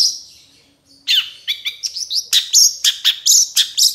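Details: Long-tailed shrike (cendet) in trotol style, used as a tutor recording to train caged birds: a brief soft note, then a fast series of sharp, high chirps and upslurred whistles, about two notes per second, growing louder.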